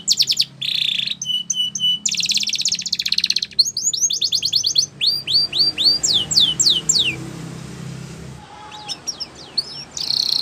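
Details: Spanish Timbrado canary singing for canary training: rolling buzzy trills and steady whistled tones, followed by springy rising and falling sweeps, with a brief pause and a trill at the end.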